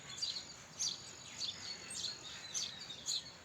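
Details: House sparrow giving loud, clipped chirps about every half second, each a quick bright note, over a quiet hissing background.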